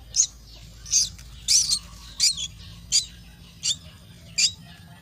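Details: Myna chicks in a nest being fed give harsh, raspy, high squawks, about seven bursts in five seconds at an uneven pace, over a quiet low hum.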